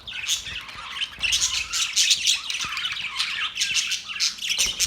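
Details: Australian parrots, dated October 10, 2023, keep up a steady stream of grating, screechy squawks and short chatter, many voices overlapping with brief rises and dips in loudness throughout.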